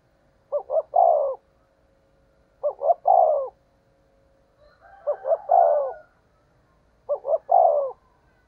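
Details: Spotted dove decoy call in the fast 'thổ' voice style: four low hoarse coo phrases, each two short clipped notes and a longer falling note, spaced about two seconds apart over a quiet background.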